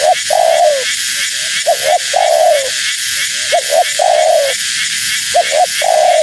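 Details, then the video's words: Calling female spotted dove whose voice is said to excite wild doves: four rhythmic phrases of two clipped hoots and a long falling coo, under a layer of hiss. "Suara Burung Tekukur Betina Gacor‼️Tekukur Liar Pasti Tak Tahan Mendengar Suara Ini"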